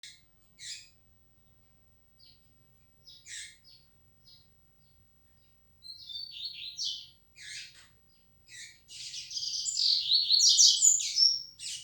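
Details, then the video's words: Yellow-bellied seedeater labelled 'flecha negra', a tournament-type bird: scattered sharp high chips, then fast buzzy twittering phrases that build into a dense, rapid warbled run near the end, with a faint low hum throughout. "Coleiro baiano ( flecha negra)"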